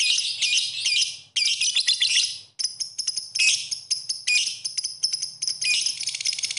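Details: Lovebird chirping from a masteran recording in broken bursts of piercing, jangly twitter, separated by brief silences near the start, then choppy runs of sharp chips and squeaks.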